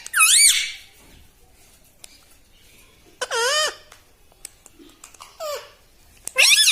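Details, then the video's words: Talking pet parrot in a room, said to say mitthu mitthu and mummy: three loud, swooping, harmonic utterances spaced a few seconds apart, with quieter clicks and a short squeak between. "TALKING PARROT - MITTHU MITTHU - MUMMY BOLNE WALA TOTA - मे तोता में तोता है मिट्ठू मिट्ठू"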